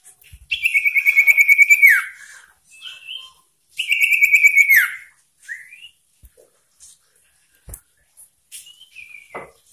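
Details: Common iora in full, insistent song meant to provoke opponents: two long buzzy trilled whistles, each ending in a downward slide, separated and followed by brief rising and falling whistled notes.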